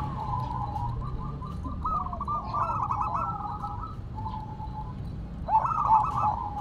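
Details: Zebra dove of silver colour kept in song while set on the ground; soft, rippling trilled coos rise in the middle, and a clearer burst follows near the end, over a low background hum.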